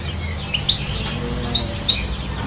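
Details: A European goldfinch singing in trees gives a few thin, high tinkling notes, then a quick run of four bright chirps over a steady low rumble.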